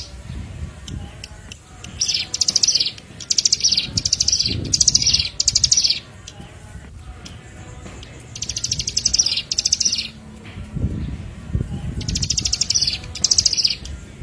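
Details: Bar-winged Prinia (ciblek) song used as a lure to attract birds: short buzzy high trills in bursts of about half a second, delivered in runs of four or five with pauses, over a low rumbling background.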